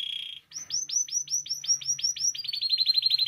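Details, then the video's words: Canary in song, played to stimulate canaries to sing: a brief buzz, then evenly spaced rising whistled notes that quicken into a rapid rolling trill, with a faint low hum beneath. "Canario Cantando. (Ideal para ESTIMULAR canto de canarios)"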